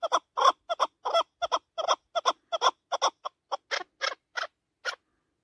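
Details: Excited chukar partridge in the mountains, a hunting bird: fast paired chuk-chuk notes delivered in a steady rhythm, later thinning into single, more ringing notes spaced about a third of a second apart.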